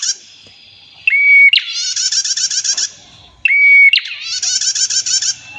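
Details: Singing female prinia with a clear voice and a long rattling 'tir' trill, kept to tutor and provoke other prinias. Two bursts, each a short pure whistle followed by nearly two seconds of fast, buzzy, high trilling, with a pause between.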